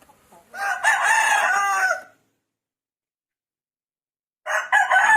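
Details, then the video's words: A rooster crowing in the morning, waking the household: a loud, harsh crow lasting about one and a half seconds, then silence, then the start of another crow. "the sound of a rooster, which always wakes me up"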